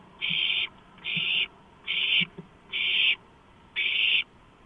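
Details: Owlets rasp during a nighttime delivery of a large rodent on 23 March 2015, all grabbing at the prey; five harsh, hissing screeches about half a second long, roughly one per second, with faint low knocks between them.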